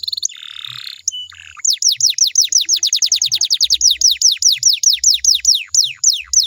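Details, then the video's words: Canary singing to prompt other canaries to answer: a brief buzzy roll, then a long steady series of sharp downslurred whistles repeated about every quarter second, loud and clear over soft low thumping. "DI JAMIN KENARIMU BAKAL IKUT NYAUT KALO DENGERIN SUARA INI"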